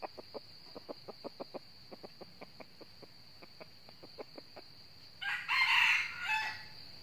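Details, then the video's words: Red junglefowl in northern Vietnam crowing in challenge at a trapped decoy; a string of soft rhythmic clucks first, then a harsh, rough crow near the end of the clip, with a constant high insect hum behind. "bẫy gà rừng miền bắc bổi về gáy đấu cực gắt mới"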